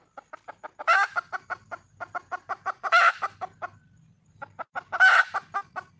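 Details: Wild hen, red junglefowl, calling for a male: steady run of short clucks about four per second, broken by three loud, harsh, ringing cackles near one, three and five seconds, with a short pause before the last.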